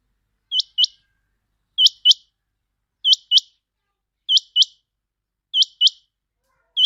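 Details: Quail (batair) call played as a lure for catching quail: high, sharp two-note chirps, the paired notes repeated about every 1.2 seconds with steady rhythm in silence.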